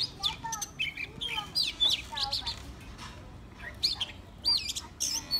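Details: A black drongo kept as a decoy sings freely. Dense bursts of sharp chirps, squeaky slurred notes and short whistles follow each other quickly, loud and varied throughout.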